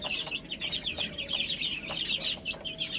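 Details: Baby chickens feeding on spinach keep up a dense, steady stream of shrill overlapping peeps, each note short and slightly falling, over a faint low hum.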